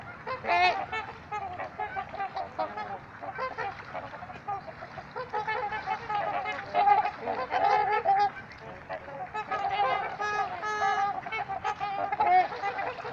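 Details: Trumpeter swans calling at Gallup Park, Ann Arbor, Michigan: a long, busy chorus of overlapping brassy honks from several birds, swelling and fading in waves with few gaps.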